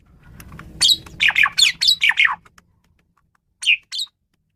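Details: Male Asian pied starling singing a varied song used as a lure: a rapid run of harsh, grating and whistled notes sliding downward, then two short isolated calls, over a faint low hum.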